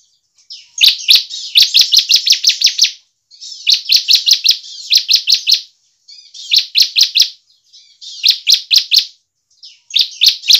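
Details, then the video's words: A captive bar-winged prinia sings loud, high, rapid bursts of sharp chipping notes, each phrase about two seconds long, repeated with short pauses. The recording is used to prompt other prinias to sing. "CIBLEK GACOR efektif untuk PANCINGAN CIBLEK agar cepat gacor dan ngebren"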